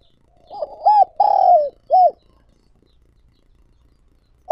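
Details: Single cooing phrase from a spotted dove serving as a lure for wild doves: two short arched coos, a long coo dropping in pitch, and a last rounded coo, followed by over two seconds of quiet.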